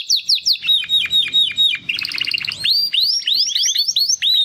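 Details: Two young male Timbrado canary brothers, hatched in the second breeding of 2020, practise song after their first molt: quick, bright down-slurred whistles about five a second, a brief buzzy rattle and looping rising-and-falling notes. The right-hand bird sings better.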